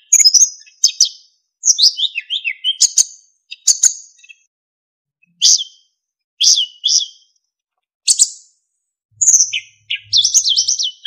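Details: Narcissus flycatcher singing as a tutor for other songbirds: clusters of quick high slurred and descending notes separated by short pauses, ending in a wavering high trill.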